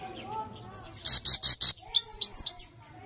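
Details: Goldfinch song with a string of four grating, buzzy notes leading into fast tinkling, up-and-down twitters, all very high and clear over faint low hum.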